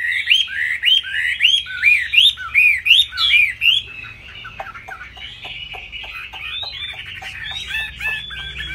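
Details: Laughingthrush singing high while flicking its tail, a bird with a large fig-leaf-shaped tail: loud, clear whistled upslurs repeated about twice a second for four seconds, then softer, quicker twittering notes over a low steady hum.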